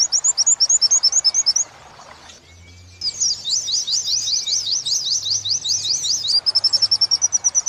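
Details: Oriental white-eye training song in the wit-wit sambung kuntilanak style: bursts of fast high chirps, a short pause with faint low hum, then a denser tumbling chatter of overlapping squeaky notes before even rapid chirps resume.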